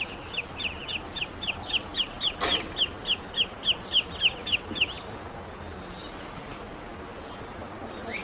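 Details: Grown ducklings calling when hungry: a steady series of about seventeen sharp, high, evenly spaced peeps, roughly three per second, stopping abruptly after five seconds, then only low background hum.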